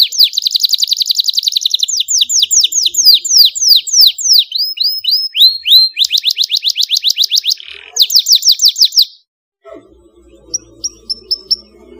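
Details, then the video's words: Clear, powerful canary song aimed at stirring a silent canary: long, fast trills broken into changing phrases of repeated swooping notes, then a pause with a few faint chirps. "PANCINGAN kenari SUSAH bunyi Dan MALES, DIJAMIN gacor setelah mendengar suara kenari gacor jernih"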